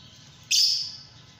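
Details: Single shrill, piercing chirp from a Fischer's lovebird, sudden onset and a fading tail of about half a second, with quiet low hum around it.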